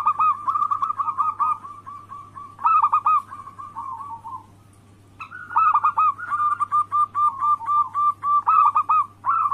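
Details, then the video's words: Zebra doves of local stock giving anggungan cooing song meant to provoke rivals into calling: bursts of quick soft coos ending in drawn notes, a quiet gap near four seconds, then a longer overlapping run over a constant low hum. "Pancingan harian burung perkutut Anggungan Lokal gacor suara Bikin Lawan langsung Bunyi"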